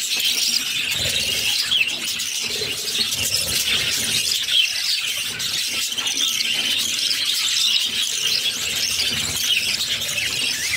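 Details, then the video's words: A brood of six budgerigar chicks fed by their mother produces an unbroken, high-pitched raspy squealing that holds steady for the whole stretch with overlapping chirps. "Budgies baby feeding || Mother budgies feeding her cute babies"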